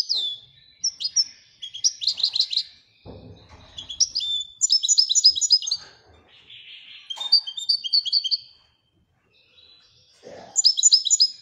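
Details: {'text': 'European goldfinch of Morocco in Widaniya song, varied high twitters, buzzy notes and short repeated tinkling series separated by brief gaps, with a couple of soft knocks in the background.'}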